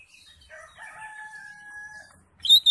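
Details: Greater green leafbird (cucak hijau) in 'ngentrok' crested song: a long steady, pure double-toned whistle held over a second, then a sharp, loud, high note at the end.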